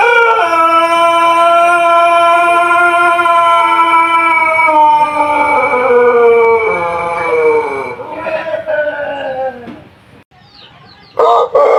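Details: Pelung chicken of Cianjur, West Java, Indonesia, crowing long and tunefully: a rich harmonic note held steadily for several seconds, then sagging and wavering downward before fading, with a brief noisy sound at the end.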